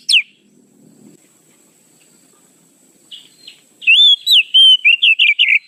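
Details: Oriental magpie-robin lure sound, described as the fastest. One sharp whistle opens, then a long quiet stretch. A rapid run of varied whistled slurs and sweeps fills the last two seconds.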